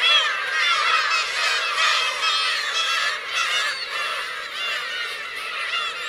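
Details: Dense, unbroken calling from black-tailed gulls, parents with chicks, on the Teuri Island coast in Hokkaido, Japan, 17 June 2021. Nasal mews overlap densely, loudest early on and fading slightly toward the end.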